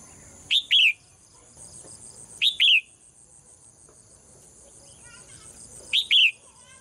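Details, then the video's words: Caged female bird's morning singing: paired high chirps, each a quick short note followed by a longer sweeping one, repeated three times at irregular gaps of roughly two to three seconds, steady faint hum behind. "เสียงนกร้องเจี๊ยก ๆ ไพเราะมาก"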